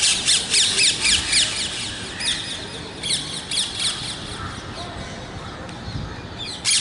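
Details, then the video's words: Parrots giving rhythmic screeching calls, roughly four per second, loud at first, then quieter and more scattered, with a final loud burst at the end. "Natural Parrot Voices"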